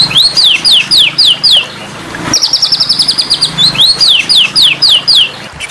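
A white-rumped shama sings bright arched whistles, about four a second, breaks into a fast high trill, then returns to the arched phrases over a faint low hum.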